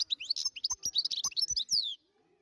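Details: Wild European goldfinch singing: a fast, dense run of high, bright twittering notes and tinkling trills, with short rising and falling whistles, ending in a longer downward-sweeping note before falling silent.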